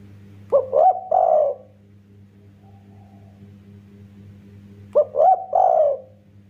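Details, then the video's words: Spotted dove used to set other doves singing repeats a three-part cooing phrase twice, about four seconds apart: two quick coos then a longer one, over a constant low hum. "Burung derkuku tekukur master gacor kuk 1,Paling cepat bikin tekukur lain ikutan bunyi"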